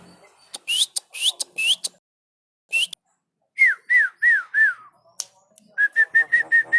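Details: Nodding Javan myna singing rising buzzy whistles, then a set of four falling whistled notes, and ending with a rapid string of short, even, chirping whistles.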